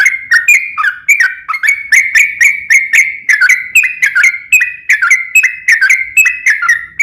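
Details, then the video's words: Sooty-headed bulbul in energetic long-running 'ropel panjang' song, used to provoke other bulbuls to sing back; clear whistled notes in quick succession, each with a sharp tick at the start and a slight downward drop. "trucukan gacor ROPEL PANJANG pancingan trucukan agar bunyi JADIKAN burung trucuk gacor NYAUT"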